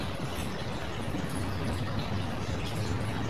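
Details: Low engine-like hum and broad hiss throughout, without any distinct bird or animal sound.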